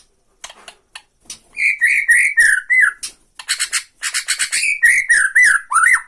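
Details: White-rumped shama of the Borneo type in tretekan song meant to rile other shamas: scratchy clicking notes build into rich downslurred whistles, then dense harsh chatter and more swooping whistled phrases.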